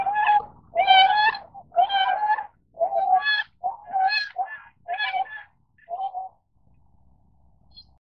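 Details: Tundra swan uttering a string of nasal, hooting honks that slow and fade out, followed by a few seconds of near silence with faint low background noise.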